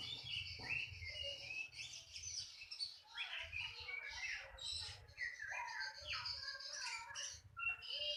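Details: Oriental magpie-robin song of dense, scratchy warbles mixed with clear high whistles, tumbling in busy bursts over low background rumble.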